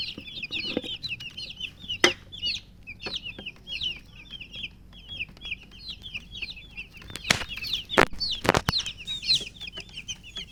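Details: Domestic chicken chicks peeping because they are thirsty for water: a steady flock chorus of high, short downslurred cheeps in rapid runs, with occasional sharp clicks and knocks.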